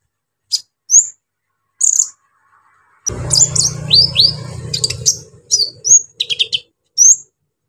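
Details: A brown-throated sunbird sings to raise the excitement of young sunbirds: isolated high upswept squeaks, then a busier phrase of chips and rising whistles over about two seconds of loud low rumbling noise, ending in scattered squeaks.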